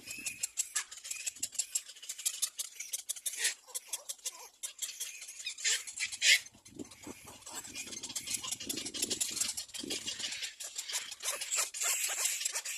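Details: Little black cormorant chicks begging at nests as an adult arrives to feed them: dense, raspy, hissing chatter in uneven bursts, fading briefly and swelling again into a continuous rough clamour near the end.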